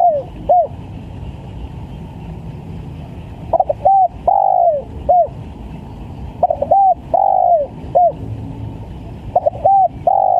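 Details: Spotted dove lure call, a very vigorous caller. Repeated phrases: a quick double coo, then a long sliding coo that falls away, then a short final note. The pattern recurs about every three seconds over a low rumble.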